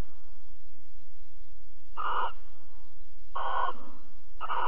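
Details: Barn owls mating and cuddling at Alphen on the evening of 22 April 2020: three rasping, hissing screeches after a quiet start, each under half a second, with a low constant hum beneath.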